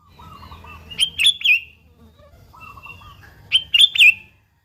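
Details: Lure recording of a sooty-headed bulbul: two bubbly phrases of three rapid warbled notes, each led by a thin drawn whistle, with faint lower chatter and background hum.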